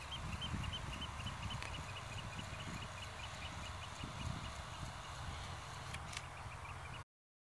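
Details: Black-tailed godwit near Zoeterwoude, Netherlands: a steady stream of short, high, evenly spaced notes, somewhat distant, with low background noise until the sound cuts off at the end.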